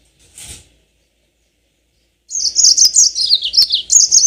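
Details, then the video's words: Yellow-fronted canary (mozambik) song used as a lure for long rolling singing: a faint short note, a pause, then two seconds of rapid, high, warbling notes tumbling slightly downward. "Pancingan tercepat burung mozambik biar gacor ngerol panjang"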